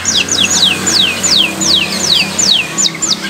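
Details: Friday morning canary song of downward-slurred whistles repeated about three per second, partly masked by loud broadband background noise.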